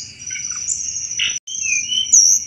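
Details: Lively Sunda robin chatter, used as a thrush lure: sharp high twitters and a rising whistled phrase, a brief pause midway, and a constant shrill drone behind.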